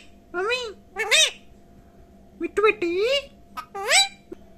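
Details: Pet parrot talking indoors in a high, nasal voice: several short, word-like phrases in a speech-like rhythm, separated by brief pauses, with a faint steady hum in the background.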